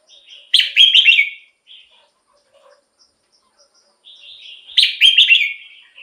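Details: Caged-bird lure recording of a red-whiskered bulbul, used to draw in wild birds or rouse kept ones. Two bright, bubbling warbled phrases about four seconds apart, with soft scattered notes in the gap.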